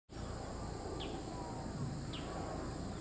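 Two sharp, short 'kik' notes about a second apart, high and abrupt, from a great spotted woodpecker over steady low rumble and a thin insect-like hiss.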